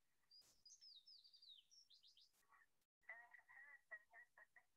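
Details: A sooty fox sparrow recorded at Cold Springs, high-elevation Butte County, September 2021, sings bright slurred whistles falling from high to mid pitch, then a rapid string of richer buzzy notes about four a second.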